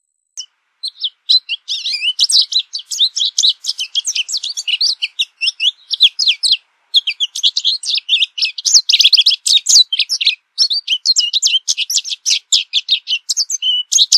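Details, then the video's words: American goldfinch singing a long, continuous, rapid twittering song of high, sharp chips and squeaky warbles, with only brief pauses over fourteen seconds, in a clean recording. "American Goldfinch Song! American Goldfinch Call! - Jilguero Americano canto"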